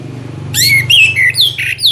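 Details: Orange-headed thrush used as a lure to make birds sing: clear whistled phrases starting after half a second, sliding and dropping notes in quick succession, over a steady low hum.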